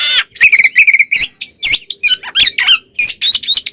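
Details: Caged white-rumped shama singing a full, varied song used to provoke other shamas into singing: loud whistled phrases near mid-high pitch mixed with harsh buzzy bursts and rapid chattering notes, sung almost continuously.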